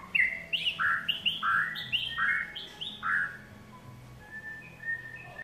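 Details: Melodious whistling from a white-rumped shama, short downslurred notes repeated in quick succession, then softer, thinner whistles trailing off, a low hum throughout.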